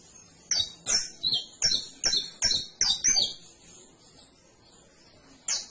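A canary sings a quick series of high, bright chirps and trills, about eight notes in three seconds, then pauses before one more chirp.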